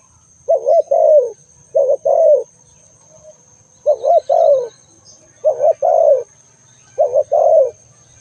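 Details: ['Spotted dove cooing steadily, paired notes rising then falling in tone, five phrases in about eight seconds, with a constant faint high whine in the background.']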